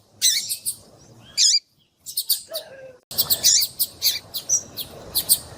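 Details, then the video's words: Female yellow-bellied seedeater call meant to excite males into song: clusters of high chirps, a lone looping whistled note, a pause, then rapid high chirps over faint background hiss. "MELHOR PIADO DE FÊMEA PAPA CAPIM PARA DEIXAR SEU PAPA-CAPIM DOIDO PARA CANTAR LOGO! PIADO DE FÊMEA"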